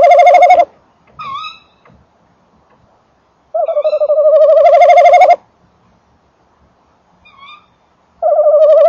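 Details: A male tawny owl enters and sits in a nest box on a December 2013 evening while the female calls farther away: loud wavering trills alternate with short, softer, higher quavering calls.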